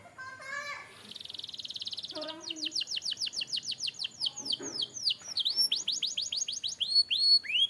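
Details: Canary song for training: low mellow whistled notes and a fine buzzy trill open the phrase, followed by runs of quick descending sweeps and bright upslurred whistles.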